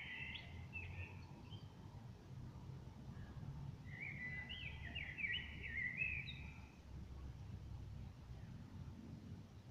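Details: Common blackbird singing near a window, smartphone recording: a short whistled snatch at the start, then a richer warbled phrase with twittering ends midway, over a persistent low rumbling drone.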